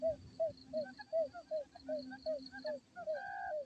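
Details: Quail call played to lure birds into traps: short low hoots repeated roughly every third of a second, ending with a longer flat tone; a steady high whine runs throughout.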